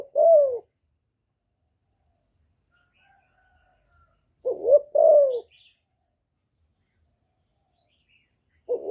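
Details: Female spotted dove gives repeated low cooing phrases to stimulate male doves, recorded cleanly. Short hooting notes rise and fall, grouped in pairs and repeated about every four to five seconds, with silence between.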